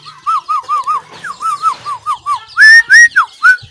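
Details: White-rumped shama, 17 April 2024, singing a string of rounded, arching whistled notes about four per second, then several louder, higher slurred whistles to finish.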